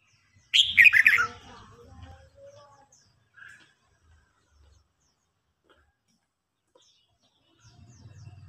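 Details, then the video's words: Red-whiskered bulbul in a singing contest, an old wild-caught bird provoking a young bird into fiery song: one loud, fast phrase of slurred falling whistles, then near silence with a few faint notes. "Chào mào hót đấu.Rừng già chinh phạt bổi non.bổi non ức chế lên lửa"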